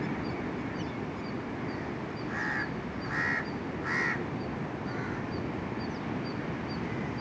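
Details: Plovers calling: three loud, harsh, slightly nasal notes spaced under a second apart in the middle of the recording, with faint high chirps from other birds and a heavy, constant rumble of wind or traffic noise throughout.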